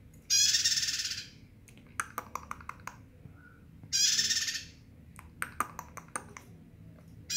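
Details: Two loud, grating trilled bursts from a bar-winged prinia in full song, spaced nearly four seconds apart, separated by sharp tapping clicks and a low steady hum.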